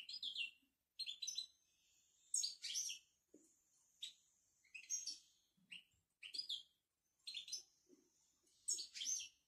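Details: Moroccan European goldfinch in its bitbita twittering song: bright, liquid bursts of twitters and short buzzy trills, phrases roughly one second long separated by brief pauses, with a thin sustained high note between some bursts.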